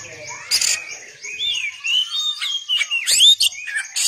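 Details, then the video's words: Oriental magpie-robin song used as a training recording for other songbirds: varied whistled phrases, rising and falling slurs and buzzy bursts, with a faint steady high hiss behind. "MASTERAN BURUNG KACER"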